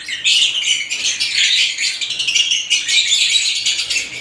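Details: Unbroken, loud chatter from many lovebirds of different kinds, shrill raspy chirps running together with no pauses across the whole stretch.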